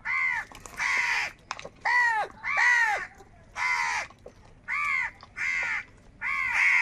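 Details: Loud, angry crows fighting for food: eight coarse, nasal caws in an uneven series, roughly one every second, each a short harsh burst.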